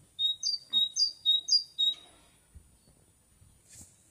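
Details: Bird singing in May 2021: six quick two-part phrases, a sharp high note sliding into a flat whistle, repeated about every quarter second, then silence with faint soft knocks.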